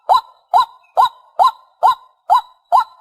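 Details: White-breasted waterhen calling for use as a bird lure. Seven loud, nasal, upslurred honks, evenly spaced about every half second.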